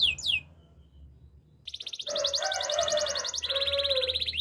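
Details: Canary training song beginning with two falling whistles and a quiet gap, then a dense high pulsed trill with a softer warbled undertone, stepping down into a second rolling trill.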